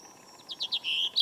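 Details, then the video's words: European robin singing in a garden on a cold November morning in 2014, likely a tame young bird that grew up this summer; a brief run of thin, high, quickly repeated notes ending in a sustained bright trill. "Robin - Erithacus rubecula - Rødhals - Glóbrystingur - Fuglar - Söngfugl"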